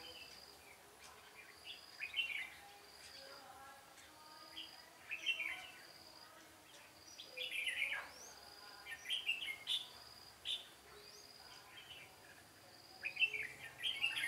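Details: Red-whiskered bulbul heard during a 13 March 2017 trapping session gives scattered bursts of chattering, whistled phrases spaced a few seconds apart, over a continuous high insect drone and faint calls from other birds.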